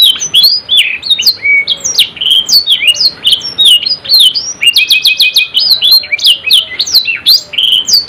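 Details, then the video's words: Canary singing a loud, continuous song of rapid repeated whistled notes, fast rolling trills and sharp downward sweeps, high-pitched and varied, phrases following one another without pause. "KENARI GACOR NGEROL NEMBAK | CANARY SINGING"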